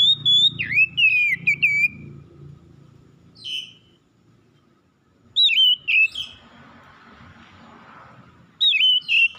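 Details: Morning song of an Oriental magpie-robin: bursts of loud, clear whistled notes that slide downward, delivered in short phrases separated by pauses of a few seconds, with a faint low hum underneath.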